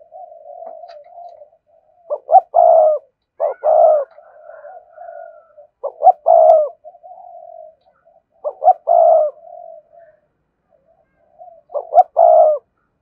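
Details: Spotted dove cooing a complete song to stimulate wild doves, phrases coming about every three seconds, each one or two short notes then a drawn-out hoarse coo, with quiet murmured notes filling the gaps.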